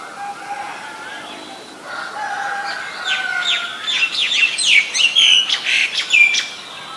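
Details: Female Asian koel calling in a fast, rising string of sharp, sliding notes that grow louder and come several per second over the last few seconds, with softer bird whistles and hum before it.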